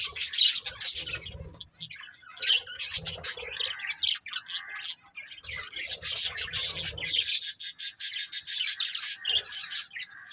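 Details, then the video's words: Budgerigar breeding pair chirping: dense, buzzy, high-pitched chatter in bursts separated by brief pauses, then a long rapid run of scratchy notes in the second half, with faint low rustling beneath. "Cute Budgies Chirping Sounds"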